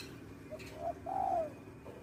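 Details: Lure call of a male spotted dove for trapping: a short faint coo, a fuller second note, then a long, clear, gently falling croo, heard against quiet room-like background.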